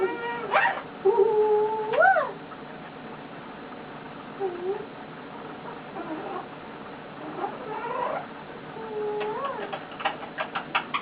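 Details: Male eclectus parrot kept as a pet, lying on its owner and making cute noises: sharp whistles swooping up and down, muttered chattering syllables, and a quick train of clicks at the end.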